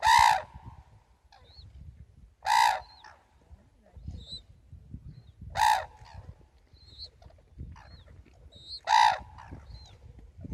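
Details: Red-crowned cranes at a sanctuary in Tsurui village on 30 November 2016, loud harsh trumpeting calls with rich harmonics repeated about every three seconds, thinner squeaky calls between them, and a low rumbling background.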